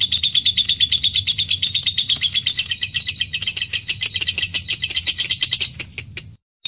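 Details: Long ngekek from a fighter lovebird, used to provoke courtship and singing: rapid, continuous high trilled chatter that grows denser, then breaks into a few separate chirps before falling silent.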